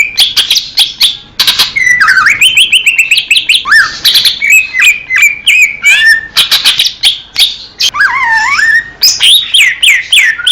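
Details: Greater green leafbird song from a compilation of clear Indonesian recordings, said to be taken straight from nature: loud, varied whistled phrases with rising and falling slurs, rapid chattering notes and mimic-like fragments, continuous throughout.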